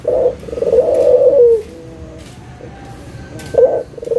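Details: Local dove used as a lure call to make silent doves start calling again; low, husky cooing with a short opening coo, then a long drawn-out rolling coo, a quiet pause with faint high tones, and two short coos near the end.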